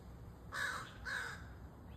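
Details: Two hoarse, drawn-out caws from a crow chick about half a second apart, each rough and nasal, over quiet low background noise.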